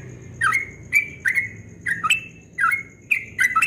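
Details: Yellow-vented bulbul, dawn 'ropel' singing style described as melodious: a handful of short bright notes in quick succession, dipping and then flattening, grouped in pairs with brief gaps, each with a sharp click.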